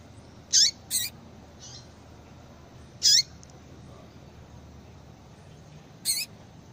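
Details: Female Yellow-bellied Seedeater calling insistently to bring a male into breeding condition: four sharp, very high chipping notes, each with a quick falling tail, spaced irregularly over seven seconds, with faint softer notes between and a low steady hiss behind.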